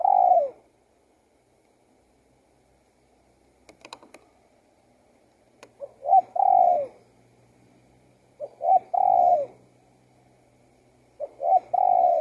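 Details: Spotted dove cooing in phrases of two quick coos and a long falling note, three full phrases plus the end of another, with a few faint clicks between.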